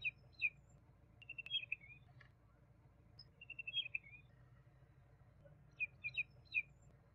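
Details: Young common babbler (Argya caudata) singing: scattered high chirps, then a rapid string of evenly spaced piping notes dropping into a slurred ending, followed by a cluster of separate sharp chips.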